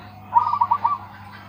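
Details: A big-voiced local perkutut, or zebra dove, gives a brief bubbling phrase of five or six quick, hollow coo notes, with a low hum underneath.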